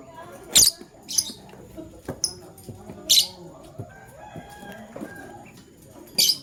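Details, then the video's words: Male lovebird choosing a partner: loud, shrill, very high chirps in short bursts, about four spread across several seconds, with soft clicks and rustling between them. "LoveBird Chirping Sounds - Male LoveBird Choose a Partner"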